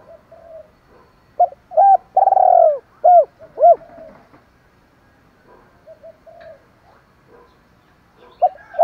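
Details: Spotted dove (chim cu gáy) in the thổ style mixed with urging challenge notes, used to lure wild birds. Deep hooting coos in a burst: short notes, one long slurred coo, then two more, followed by quieter soft coos and a final short pair.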